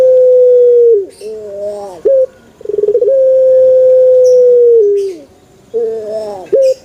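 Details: A male Barbary dove repeats a long, smooth hooting note that slides lower at its end, separated by curving, quavering phrases and short rolled starts, the calls following one another closely.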